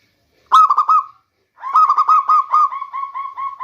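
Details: Local zebra dove used for luring in the rainy season: a brief rolling coo burst, then a longer phrase of repeated rounded coo notes that gradually slows and softens toward the end.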